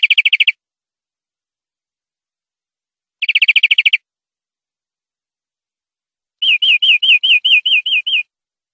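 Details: European greenfinch in a clean tutor recording for educating captive birds: short rapid trilled bursts separated by long pauses, followed by a series of about nine looping whistled notes.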